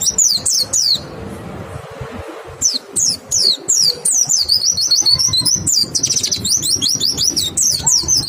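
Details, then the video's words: White-eye lure song with a clear tone, meant to make other white-eyes join in. Quick high-pitched slurred whistles start, pause briefly, then resume as a dense, rolling twitter that grows busier toward the end. "Pancingan PLECI BIKIN IKUT NEMBAK, suara jernih bikin respon PLECI LAIN BUKA PARUH"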